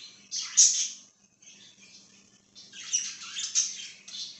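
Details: Short budgie outbursts: a loud, grating chirp burst in the first second, a near-silent stretch, then renewed scratchy chattering with bright squeaks from two and a half seconds on.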